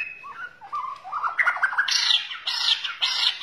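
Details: White-rumped shama from Borneo: soft low whistles building into loud, harsh, high-pitched squawking bursts repeated three times.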